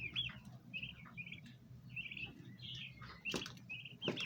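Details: Domestic bronze turkey poults gathered around a basin of ornamental plants, trying to feed: short high whistled chirps, each a brief rising-falling peep, repeated about every half second, with soft clicks and low rumbling background noise.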